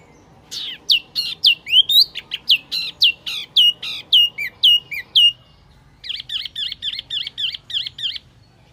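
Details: Wambi Mini bird lure call: a quick series of bright, high, downward-curving chirps, about two per second, then a pause and a faster run of short buzzy, doubled notes.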